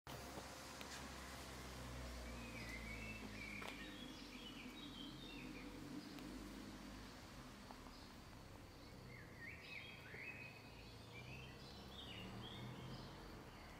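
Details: A Black Redstart gives faint, short, scratchy warbled song phrases, two bursts some seconds apart, over steady low traffic rumble and background hiss; Rakovnik, Ljubljana, Slovenia, 4 June 2023. Finding: Black redstart.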